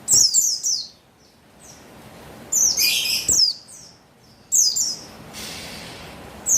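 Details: Female buxtoni Javan white-eye used to trigger male song, recorded 3/8/21: clusters of rapid, high-pitched descending chirps separated by quiet stretches of about a second and a half.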